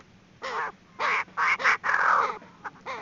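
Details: Female Chinese francolin decoy call: a few loud, rough, cackling notes with bending harmonics, some run together into a longer harsh phrase, then two shorter notes.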